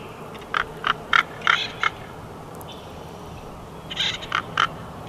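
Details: Big Bear Valley bald eagle nest, June 2021: a fast string of clipped piping notes, a pause over steady background hiss, then a brief second run of notes.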